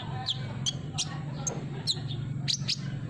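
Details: Olive-backed sunbird chirping as a lure for a silent bird: high, sharp, downslurred notes spaced irregularly, set against a loud low mechanical hum.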